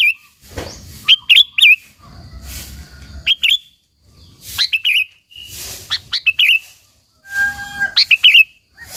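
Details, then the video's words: Sooty-headed bulbul singing repeatedly, used to lure and challenge other bulbuls: short bubbly phrases of two to four chirping notes every second or so, with quiet gaps between. "Suara Burung KUTILANG GACOR, Burung Kutilang Lain Emosi dan Ikut Gacor Ampuh untuk Suara Panggilan"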